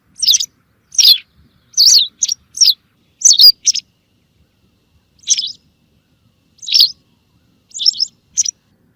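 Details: White wagtail calls played as a lure for hunting: loud, sharp high chirps given singly or in quick doublets and triplets, irregularly spaced with short silences between, clean recording with no other sounds.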